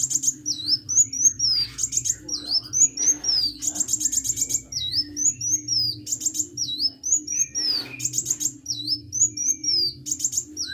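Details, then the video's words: Hummingbird (kolibri) in full vigorous song: very high, rapid chirps and short trills alternating with dipping slurred notes, repeated in busy phrases about every second, over a faint steady low hum. "KICAU BURUNG KOLIBRI GACOR"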